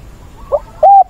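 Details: A Spotted Dove used as a decoy voice for training wild-caught doves gives two low, hollow coos, a brief soft note followed by a longer, steady, slightly rising coo.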